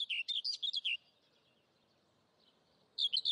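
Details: Saker falcon chicks at the nest in Hungary, 11 May 2012, captured by a nest webcam: a rapid burst of high, shrill, down-slurred squeals, then a pause and another short squealing burst.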